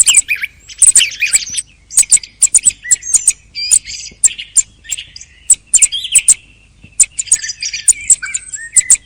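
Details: Song of a thrush late in the hunting season, a steady stream of sharp high ticks interwoven with soft buzzy warbles and a few lower whistled notes toward the end.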